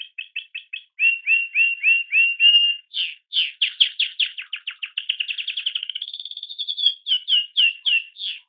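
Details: Young canary chick, recorded a few days before its death, singing a varied song: repeated chirped notes, then buzzy rattling phrases, a fast trill and a steady whistled note, ending in spaced chirps. No other sounds are heard.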